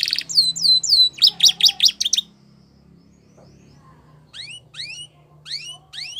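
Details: Belgian canary song opening with curved high whistles and a quick choppy trill, then a pause with only faint low hum, followed by spaced rising whistled notes roughly twice a second.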